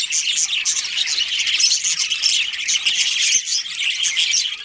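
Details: Budgerigars, a breeding pair amid a colony, producing a dense, raspy squawking chatter that runs without break, many birds calling together.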